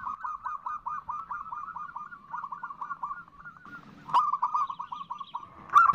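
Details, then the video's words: Perkutut female, zebra dove, uttering the nutut call for a male: a softer run of quick hooked notes, evenly spaced, fading in the middle, then returning stronger after a click, ending in a loud knock. "Perkutut Betina memanggil jantan, seperti ini suara NUTUT paling di sukai perkutut"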